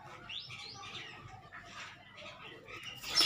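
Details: Black francolin chicks at play, giving quick high chirps and thin twittering notes, some sliding up and down, over soft background noise, with a sharp burst at the very end.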